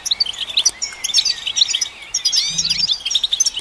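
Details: European goldfinch song meant to stimulate goldfinches: a dense, fast twitter of high chirps and short liquid trills, with brief rising and falling whistled slurs and a short low hum near the end.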